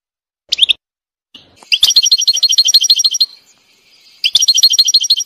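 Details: A wild European goldfinch sings in woodland. Sharp twitters lead into a rapid, steady trill of repeated tinkling notes lasting over a second. The trill pauses briefly, then resumes.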